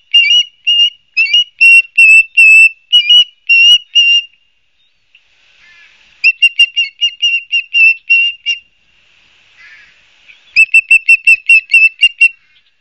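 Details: At a nest-cam osprey nest at Barnegat Light, New Jersey, on 12 Sep 2022 at 16:34, an osprey gives three bursts of sharp, high whistled chirps, each a rapid run of eight to ten notes, with short quiet gaps between.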